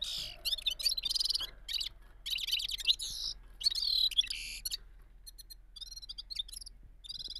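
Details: Gulsar bird, a bulbul, singing a rolling balkashal song: fast bursts of rich, warbled, high-pitched trills in rapid runs, then softer, thinner repeated chirps toward the end.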